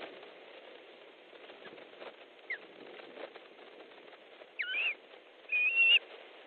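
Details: At an Estonian osprey nest on 3 August 2014 during a fish delivery, two short whistled, wavering calls come near the end after several seconds of steady background noise.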